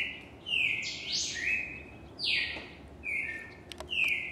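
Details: Singing cardinal in Brazil gives bright, descending whistled phrases, some with a sharp upward flick, spaced about a second apart, over faint outdoor background noise and a few soft clicks.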